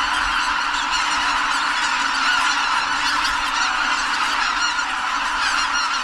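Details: A large flock of Greater White-fronted Geese at Kabukuri-numa, Japan, at dawn on New Year's Day 2022, calls continuously in a dense overlapping chorus of high, yelping honks as the birds take off together, apparently startled.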